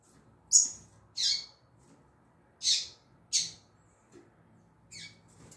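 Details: Female double-collared seedeater, known as coleiro, calling in the tui tui zel zel manner: a loose series of high, thin, clipped notes, some doubled, at uneven intervals over a faint hum.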